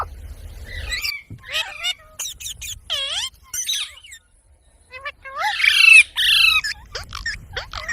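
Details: Chattering parrot vocalisations: clipped whistles, curving harmonic notes and a dense raspy squawk near the end, spaced by brief pauses.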